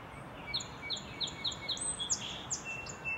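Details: Song sparrow song on a cloudy Minnesota morning in April: five or six evenly spaced, sharp high notes lead into a brief buzzy trill and further quick bright notes, with steady low outdoor hiss beneath.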